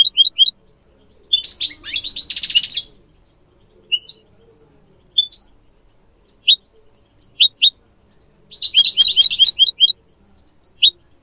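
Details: A captive goldfinch, used to teach song to goldfinch mules and a canary, sings clear, high, separate chirps, broken by two bursts of fast, tinkling twitter. The background is otherwise quiet.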